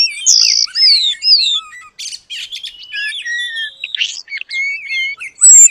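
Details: Oriental magpie-robin in varied song carrying long-tailed paradise bird material: loud slurred whistles falling in pitch, chattering notes, soft trills and a final high whistle.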